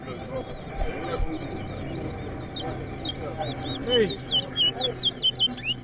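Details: At a towa towa bird singing competition in Rosignol, Berbice, Guyana, round 2, rapid high whistled notes and sharp slurred chirps grow denser toward the end, over a man's counting voice and background chatter.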